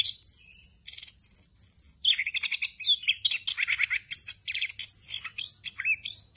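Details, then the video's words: Orange-headed thrush in full 'ngerol' rolling song rich in fill-in phrases, meant as tutoring material for raw thrushes: very high whistles open, then lower buzzy rattled phrases and fast chattering notes run together without rest. "ANIS KEMBANG NGEROL FULL ISIAN EFEKTIF UNTUK MASTERAN ANIS KEMBANG BAHAN AGAR CEPAT GACOR"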